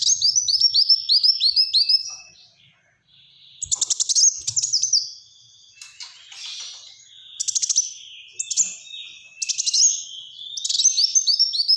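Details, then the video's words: Kolibri wulung (Black-throated sunbird) opening with a quick series of falling whistles, then alternating buzzy trill bursts and slurred high notes in tight 'gacor tembakan rapat' style, with short pauses between. "Burung Kolibri Wulung Gacor Tembakan Rapat"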